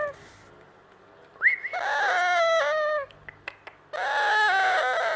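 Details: Baby yellow ringneck parakeet copying a cat. A sharp rising whistle flows into a long nasal meow, a short pause with faint clicks, then another drawn meow begins.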